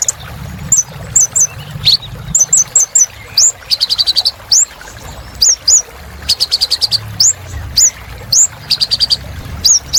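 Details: Kolibri Ninja, the local name for Van Hasselt's sunbird, in lively full song meant to coax birds that have stopped singing: thin rising whistles in twos and threes mixed with quick stuttering buzzy rattles, steady faint low rumble behind.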